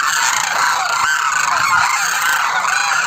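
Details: Demoiselle cranes (koonj) calling together, a steady chorus of overlapping harsh, rolling, goose-like honks with no gaps.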